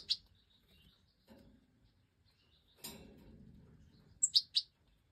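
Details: In a 2024 aviary brood, a hen European goldfinch of the Major type feeds her five fledged chicks; scattered soft shuffling, then a rapid run of three piercing high squeaks near the end.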